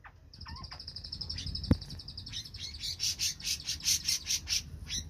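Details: Grey-cheeked bulbul singing 'riwik plong': a long, thin, high whistle first, with brief slurred notes and a sharp knock. Then come fast, rhythmic, raspy chatter bursts, roughly two or three per second.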